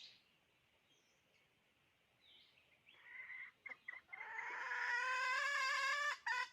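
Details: Hen's call builds from a quiet, hissy background through a few broken notes into a long, loud, nasal cackle with strong overtones that swells and holds, then cuts off abruptly.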